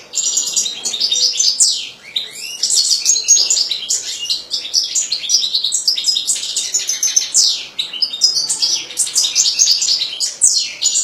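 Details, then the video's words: European goldfinch singing a fast, continuous, high tinkling song of twittering trills and liquid chirps, with little pause throughout. "حسون رقم 2"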